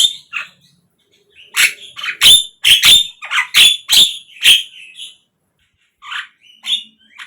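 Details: Javan myna (jalak kebo) lure song for captive birds: sharp, piercing whistled notes and clicks in a rapid irregular burst, then a pause and a few scattered squeaky phrases.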